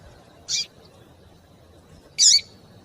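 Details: Female double-collared seedeater calling to stimulate a male to sing: two short, buzzy, high chip notes about one and a half seconds apart over quiet background hiss.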